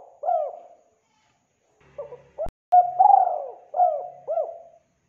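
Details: Clear, clean calling of a spotted dove used as a lure for trapping: a falling coo, a pause with a faint low hum and a click, then a full phrase of hollow notes with a long rolling coo and downward endings.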